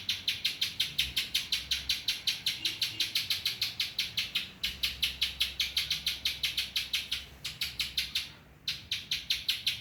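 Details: Spiderhunter song carrying ciblek phrases: fast, regular, piercing chip notes around five to six per second, with two brief pauses before the series resumes.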